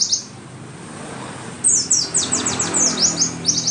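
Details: White-eye song meant to prompt caged Oriental white-eyes to sing: after a short high note and a quiet gap, a run of rapid, high descending chirps over steady hissing background noise.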